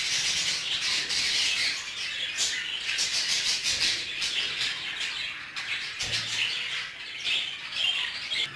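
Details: Many Hagoromo budgerigars kept in an aviary chatter together, giving loud, continuous high twittering and harsh squawks, with a brief thud near the end.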